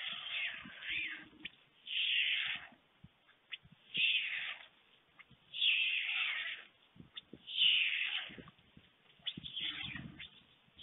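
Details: Feeding time at a white stork nest in Fohrde, Germany, early afternoon of 21 July 2019, with the adult male and two storklets: long, harsh, wheezy hisses repeated about every two seconds, separated by quieter rustling.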